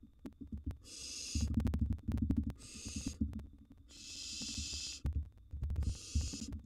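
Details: Nestling barn owls in a wild nest box during feeding: four breathy snoring hisses of varying length, interleaved with heavy bumping and scratching from the chicks.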